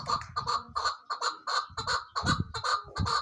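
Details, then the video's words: Female chukar partridge: rhythmic, harsh chuck-chuck notes, about two to three per second, each note rough and broad, repeated steadily throughout. "keklik sesi chakor birds shikari chakor awaz sound voice"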